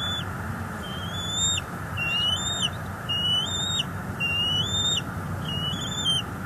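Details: Bald eagles at a nest in northeast Florida on 12 February 2022 while an adult feeds two eaglets. High, thin whistled calls with a rising then falling inflection, given in a steady series roughly every second over constant low background hum.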